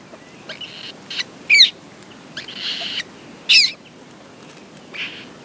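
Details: Common moorhen at a nest with eggs and newly hatched chicks, giving scattered short, scratchy, broadband notes: two sharper squeaky bursts about two seconds apart among fainter rasping sounds, then one soft note at the end.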